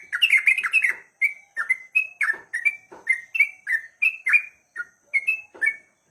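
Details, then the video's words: Ruddy-breasted crake giving a long, emotional calling bout that prompts rivals to answer: a rapid series of sharp chirps, each a short whistled note with a downward flick, repeated about three times a second with brief pauses. "Trucukan ropel panjang penuh emosi bikin lawan ikut bunyi"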